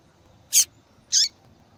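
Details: Female papa-capim seedeater calling, a call used by breeders to warm up and stimulate singing in males: two sharp, high descending chips about half a second apart over faint background hiss.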